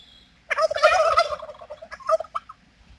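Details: A male turkey doing a mating display to females gives a loud, rapid, bubbling gobble lasting about a second, followed by a few shorter gobbling notes.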